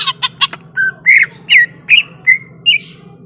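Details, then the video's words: Greater green leafbird said to be ready to fight: harsh rapid chips, then a series of clear slurred whistles repeated about every half second, over a constant low electrical hum. "SUARA BURUNG CUCAK IJO SIAP TARUNG"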